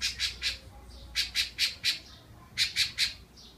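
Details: Thrush in spring, October 2014, at Barra do Jucu, Vila Velha, Brazil, strongly defending a nest with chicks; loud, rasping chack notes fire rapidly in three bursts of three, four and three, with brief gaps between.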